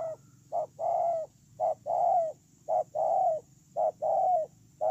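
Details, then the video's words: Ground decoy spotted dove, recorded 8/10/2018, cooing steadily: paired phrases of a short note and a longer mellow coo that droops at the end, repeated about once per second, loud and close against a faint low hum. "CU GÁY PHƯƠNG QUÝ"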